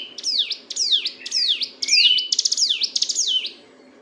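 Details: Sunda bush warbler (ciblek gunung), a master recording for training songbirds, singing nonstop in the ngebren style: a fast series of high, sharply falling sweeps, then rapid dry clicking notes and a trailing, thin descending whistle.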